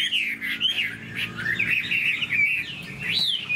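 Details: A caged Chinese hwamei with fanned tail sings clear, loud whistled phrases: wavering slurred notes linked in a fluid run, closing with a sharp rising and falling whistle.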